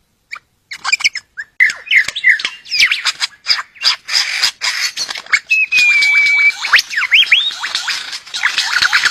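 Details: A superb lyrebird courting its mate pours out a rapid medley of sharp clicks, rising and falling whistles and squawky notes, with one long steady whistle midway.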